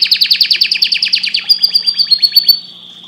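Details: A canary in full song delivers a rapid, even trill of short chipping notes that rolls into a slower series of sweeping whistled slurs, then fades to quiet.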